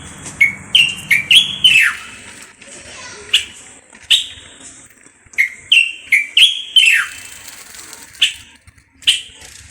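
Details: Moroccan common bulbul delivering brisk whistled phrases: clusters of quick liquid notes ending in downward-sliding whistles, repeated after short pauses, with a brief low hum at the start.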